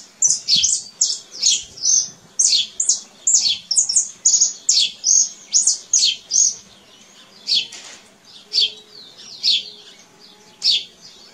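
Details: Canary singing in nature, a long series of sharp high chirps in a fast even rhythm, roughly two per second, then slowing to spaced single notes near the end.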